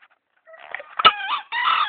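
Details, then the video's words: Tame green junglefowl, caught by luring in Gunungkidul and kept for three months, gives a harsh two-part crow: a rising raspy first note with a sharp click, then a short strained second note, preceded by faint soft calls. "Kokok ayam hutan hijau gacor"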